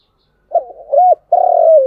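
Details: Chiêu and thúc style cooing of a spotted dove: a quiet wavering start, one clear arched coo, then a long vibrating buzzy coo slowly dropping in pitch.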